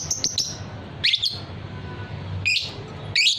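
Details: Fighter lovebird, a kept bird prized for long ngekek song, giving short harsh high chirps: a quick double note, then three separated buzzy chirps about a second apart, faint low hum beneath.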